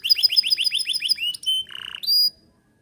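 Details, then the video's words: Canary song, an energetic singer used to prompt other birds: quick run of falling whistled notes, then a steady high whistle, a short low rattling buzz and a final sustained high tone. "Kenari gacor cocok pancing burung bahan & macet bunyi"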